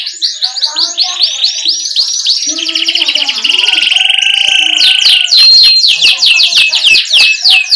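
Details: Canary singing in the rolling 'ngerol' style, a tutor recording meant to spur young canaries to chatter and sing. High sweeping whistled notes repeat quickly, then a long steady buzzy trill, ending in fast descending chirps.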